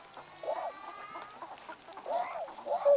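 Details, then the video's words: Tundra swans, adults with two call types and a juvenile, recorded on 1 January 2014 in Japan: harsh, nasal, honking calls in rising-falling bursts, several birds overlapping, ending in a louder clear note. "コハクチョウ "Cygnus columbianus" の鳴き声"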